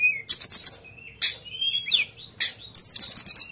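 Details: Sunda bush warbler song in full voice: bursts of rapid high-pitched notes alternate with sweeping whistled slurs, some falling steeply, then a fast sharp chatter at the close.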